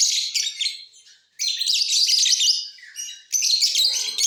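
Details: Mutation lovebirds in a flying cage, singing in the off season, give almost nonstop rapid, scratchy high-pitched twittering with one brief lull near the middle.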